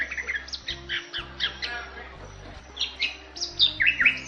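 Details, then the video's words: A Bali myna (Leucopsar rothschildi), a critically endangered and protected species, sings a rapid run of harsh squawks, chatters and slurred high whistles, several notes each second, over a faint low musical hum. "MERDU KICAU JALAK BALI"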